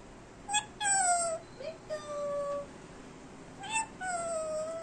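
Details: Captive Indian Ringneck parrot talking, imitating Hindi words and a meow; clear tonal syllables in clusters with gliding, speech-like inflections and brief sharp onsets, against quiet indoor hiss.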